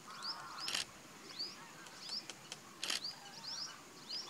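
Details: A male Yellow-crowned woodpecker at Thol Bird Sanctuary, Gujarat, India, in December 2019 gives sharp, high, quickly rising chip notes at an irregular pace, a few in quick pairs, with two loud camera shutter clicks.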